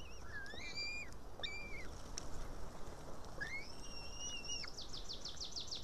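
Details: Female white-tailed eaglet in an Estonian nest, June 2018 evening, begging for food: short rising whistles, a long level high whistle, then a fast fluttering series of high notes.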